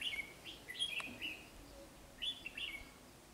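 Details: Red-whiskered bulbul, white-cheeked form, with a decoy at a trap while a female stays away: rapid chattering warbled notes in two quick bursts.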